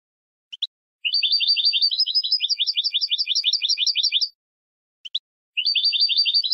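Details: Contest-style goldfinch song for educating birds for competition: a few isolated high ticks, then a three-second run of rapid paired chirps at an even pace, a pause, and the same paired-note run starting again.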